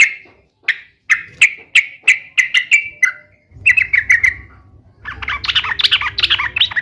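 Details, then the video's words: Sooty-headed bulbul calling to rouse pet bulbuls into song: a string of evenly spaced sharp chirps, speeding up, followed by a short cluster of notes and then a busy run of rapid chatter. "SUARA KESUKAAN TRUCUK ❗ trucukan gacor SATU INI ahlinya JADIKAN burung trucuk gacor NYAUT SEKETIKA"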